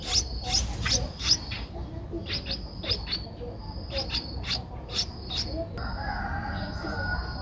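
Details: An 11-day-old Streak-eared Bulbul nestling recorded 13 April 2023 in Ubon Ratchathani, Thailand, gives sharp high chirps in quick series with short pauses, then a steady thin whine near the end.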